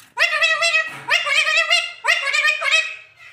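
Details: An Alexandrine parakeet taught to talk produces three loud, buzzy, speech-like phrases of about a second each. Each phrase has a quick rising start.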